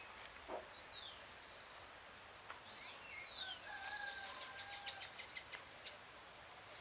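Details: On a full moon evening, 13 June 2022 at 6:26 PM, a Great thrush sings soft downslurred whistles, then a fast run of about a dozen sharp high notes repeated several times a second.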